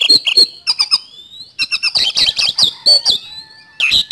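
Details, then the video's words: Oriental magpie-robin (kacer) delivering fast 'speed roll' lure song: quick ticking chips and high whistles, a thin rising whistle, then a long dense stretch of rattles ending in a final short burst. "Pancingan Kacer Gacor Nembak Speed Roll"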